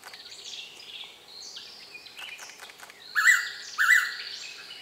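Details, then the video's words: Blue-winged pitta, a tame wet-season visitor calling for minutes from a nearby tree in Kaeng Krachan National Park, Thailand, gives two loud whistled notes about 0.7 seconds apart, after soft chirps and twittering from other birds. "Blue-winged Pitta Call"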